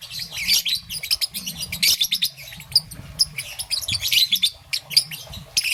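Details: Young peach-faced lovebird, green and yellow plumage, chirping in the morning with an almost continuous stream of thin, harsh, high-pitched chirps, quick and uneven, over a low background murmur.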